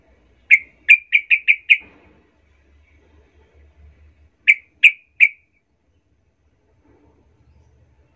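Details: Sooty-headed bulbul provoking call meant to rile other birds: a fast string of six sharp chirps, a pause of over two seconds, then three more sharp notes, with a faint low hum in between.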